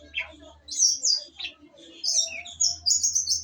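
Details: Female long-tailed shrike singing a varied, scratchy sequence of high chirps and squeaky notes, with brief harsh bursts and a faint low hum underneath.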